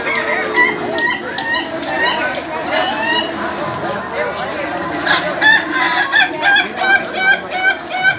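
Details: Laughing chickens at a contest final in Indonesia, crowing in overlapping runs; later the calls settle into a regular chuckling series of sharp, high notes, roughly two to three per second, over crowd murmur.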